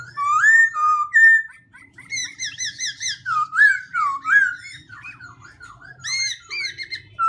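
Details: Black-throated laughingthrush in song, its voice changing constantly. Rich fluty whistles and warbled phrases alternate with chattering bursts and stuttering notes, delivered in separate pulses a few seconds apart.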